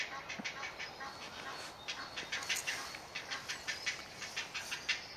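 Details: Hungry great blue heron chick in a woodland heron colony near Delft, South Holland, Netherlands, calling for food: scratchy broadband ticks in quick succession, softer at first and building, with faint high bird notes in the background.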